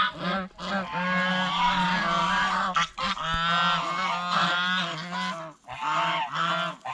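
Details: Several geese eating bread and fresh vegetables at a fish pond honk almost nonstop, with loud, nasal, drawn-out blasts that overlap and break off in short pauses.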